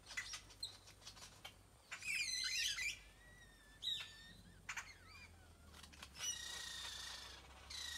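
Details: Birds singing together in a tropical tree in Nayarit, Mexico: a dense burst of tangled high chirps, scattered thin whistles and quick notes, then a long buzzy high twitter near the end.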